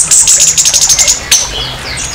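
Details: Harsh orange-headed thrush song meant to provoke a rival thrush: a very high, rapid trill of about ten evenly pulsed notes, then one sharp note and softer thin whistles.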